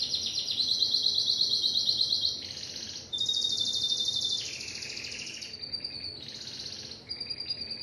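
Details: Timbrado canary song with a sequence of tours: fast high trills, a lower gurgling roll, a bright steady whistled trill, then alternating short high and low rolled phrases.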